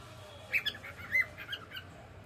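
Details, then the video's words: Pet cockatiel enjoying the evening, giving short high chirps and whistled notes in a quick, uneven run, with a faint low hum underneath. "Cute Cockatiel singing and sound"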